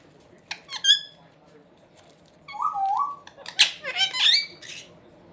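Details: Indian ringneck parakeet brothers chatter in a room: a thin squeak, then a drawn-out nasal note and a burst of shrill, warbling squawks overlapping one another.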